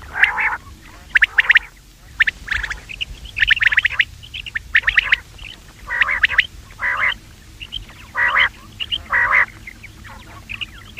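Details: Common quail voice for hunting, a rapid run of coarse pulsed notes in clusters of two or three, repeating across the stretch over a faint hum.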